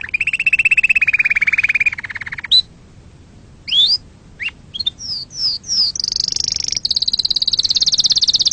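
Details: Canary song for teaching chicks and mating: a buzzy low trill for two seconds, a pause with single sharp rising and falling notes, then a high, fast, sustained trill to the end.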